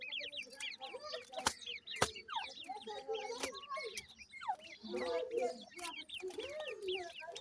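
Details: At a grey francolin nest, chicks keep up steady high, falling peeps in quick runs. Low, husky clucks come in between, and two sharp knocking clicks stand out early on.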